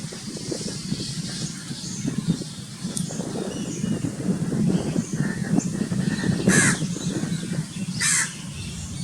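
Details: House crow, also called grey-necked crow, recorded in Pakistan: two harsh, raspy caws late in the clip, a couple of seconds apart, over steady low rumbling background noise.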